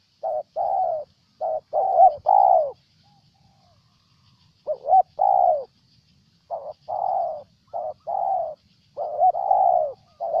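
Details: Spotted dove from Ninh Thuận, Vietnam, giving repeated cooing phrases: clipped short notes followed by a drawn-out, slightly falling coo, in groups separated by brief silences.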